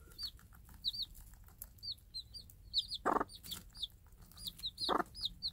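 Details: Mother game hen calls her day-old Minorca cross chicks to food in a free-range flock; two loud low clucks about two seconds apart under constant high curved chick cheeps.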